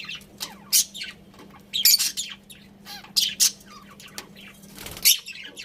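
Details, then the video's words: Pet budgerigars chirping: sharp high chirps and short squawky bursts in irregular clusters, with quiet gaps between and a faint steady low hum underneath. "Cute Budgies Chirping Sounds"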